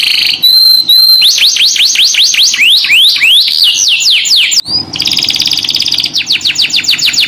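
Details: Canary (kenari) lure song (pancingan): a pure held whistle and short flat notes, then a long string of quick descending whistled sweeps, a dense vibrating buzzy trill and final rapid sweeps, all loud and clear.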